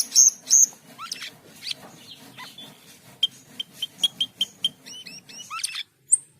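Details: Asian pied starling singing loud high whistles, scratchy warbling, then a steady string of evenly repeated short whistled notes and a few upslurs, over a faint low hum.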